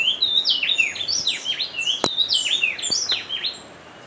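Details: Song of a speckle-breasted wren at Bioparque Bonita Farm in Dosquebradas, Risaralda, Colombia, a fast run of ringing whistles with steep down-up slurs, a couple of sharp clicks partway through, fading out at the end.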